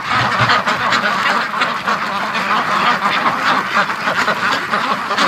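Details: Domestic ducks, including Muscovies, at a morning feeding by their pen after six stayed out overnight and waited outside hungry; dense, continuous overlapping quacks from many birds fill the whole stretch.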